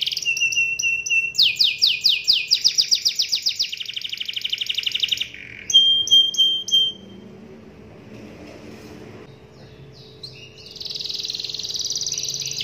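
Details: Canary lure song for prompting other canaries: clipped whistles, a burst of rapid sweeps and a buzzy trill, then a long quiet stretch before the high trilling resumes near the end.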